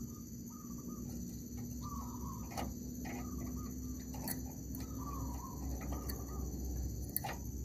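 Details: Zebra dove heard in an oil palm plantation during decoy trapping; soft, rolling cooing phrases repeated about every one to two seconds, partly masked by steady insect buzzing, low rumble and scattered clicks.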